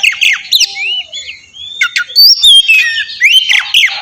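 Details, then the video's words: Oriental magpie-robin singing as a lure to trigger an answer: clear whistled glides, some long and level, broken by short harsh squawks and clicks. "suara pancingan burung kacer ampuh!! buat pancingan kacer bahan dijamin langsung nyaut"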